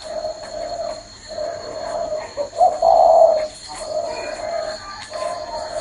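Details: Spotted dove perched on a person's hand, still cooing: a series of soft, low, hollow coos in steady phrases, with one louder, stressed note in the middle; faint steady hum in the background.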